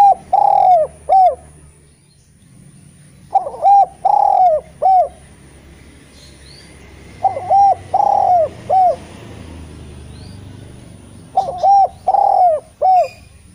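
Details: Repeated cooing of a vocal Eurasian collared dove meant to lure reluctant spotted doves to sing: four phrases about every four seconds, each a short coo, a long drawn coo and a clipped final note.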